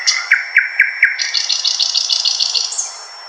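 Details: Powerful, raw thrush nightingale song from dense undergrowth in eastern Poland: four evenly spaced, full-toned notes, then a rapid, rattling run of about a dozen higher, clipped, metallic notes, ending in a short high phrase.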